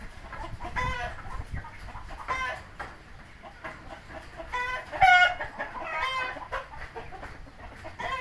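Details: Indio Gigante chickens aged three months give rasping, harmonic, squawking calls at irregular intervals, one louder burst standing out, with steady background noise.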